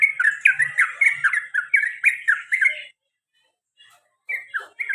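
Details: Male pet sooty-headed bulbul rattling off quick 'cuk cuk cuk' chirps for about three seconds, then a short pause before a few more downslurred notes resume.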